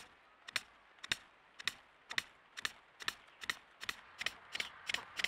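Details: Displaying male Temminck's tragopan, popping up from cover to a nearby female with lappet extended and horns up, gives sharp, dry clicks, about a dozen in five seconds, speeding up steadily from roughly two to three per second.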